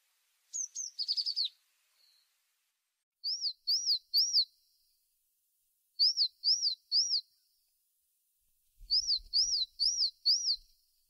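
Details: Tit giving a short trill, then a series of arched, whistled notes in groups of three or four, repeated roughly every two to three seconds, with faint low rumble near the end.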